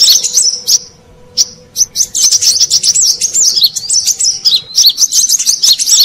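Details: High twittering of a brown-throated sunbird, played as a lure for wild birds: a short phrase, a pause of about a second, then a long run of rapid sharp chirps and slurred whistles.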